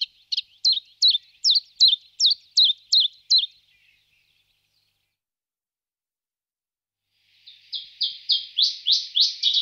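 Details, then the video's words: Chiffchaff song with a steady string of about eight crisp, falling high notes, evenly spaced. Several seconds of silence follow, then a closing run of harsher, buzzier high notes. "Пеночка теньковка Phylloscopus collybita"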